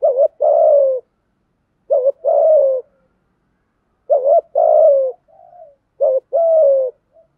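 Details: Male and female spotted doves cooing steadily in the 'thúc gù' style to urge caged decoy birds to call. Four paired phrases, each a quick quavering note and a drawn-out, gently falling coo, with a faint soft coo between.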